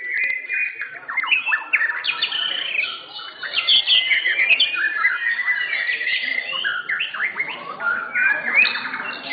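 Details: At an Indonesian singing contest for blorok white-rumped shamas, several caged birds pour out rich, fast, jumbled phrases of slurred whistles and chirps, overlapping without pause for about nine seconds.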